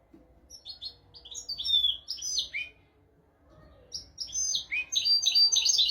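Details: European goldfinch singing a royal-style tutor song meant to teach goldfinches and canaries; bright twittering, tinkling phrases in two bursts separated by a short pause near the middle.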